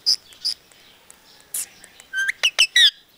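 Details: Talking parrot said to voice Punjabi sentences; a few high thin squeaks and clicks, then a rising whistle and three loud, strongly harmonic chirped syllables in quick succession.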